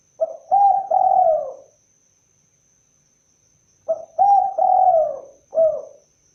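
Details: Two phrases from a spotted dove. A quick introductory note leads into long, mellow, slightly descending coos, and the second phrase ends with an extra short coo. Otherwise quiet apart from a thin steady high whine.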